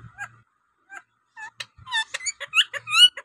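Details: A pet rose-ringed parakeet, a local native bird known for talking, chatters in quick rising squeaks. The squeaks speed up and grow louder toward the end, with a few faint notes earlier.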